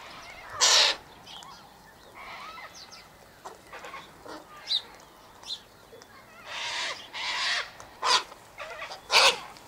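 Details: Feeding flock of Sulphur-crested Cockatoos eating sunflower seeds and wheat at an eastern gate; scattered harsh squawks, one loud early, then a cluster of rough screeches near the end over a quieter background.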